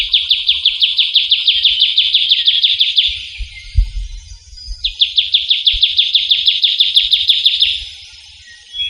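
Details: Trilling shrike-babbler (Pteruthius aenobarbus) in the wild, in forest in Java, giving two long, fast, dry trills of rapidly repeated high notes, each lasting about three seconds, with faint low thumps underneath.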